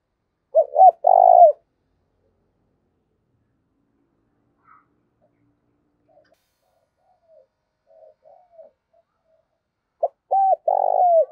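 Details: Spotted dove calling to spur rivals to fight, a call used to excite a decoy bird. Clipped coo phrases open and close the clip. Each has short notes and a long trembling coo. Between them is near silence with a few faint soft notes.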